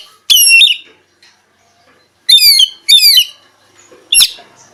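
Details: Oriental magpie-robin (kacer) singing in short, sharp bursts: a rich chirped phrase, a pause, two quick buzzy rasping phrases close together, then a final harsh note.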